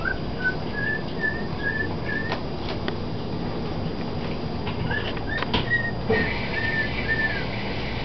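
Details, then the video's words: Male pet bird in the nest, singing to his few-days-old chicks: a row of soft whistled notes, some faintly rising, with a brief gap of clicks and rustling midway, then more whistles, all over constant low room hum. "Coco singing to his babies in the nest"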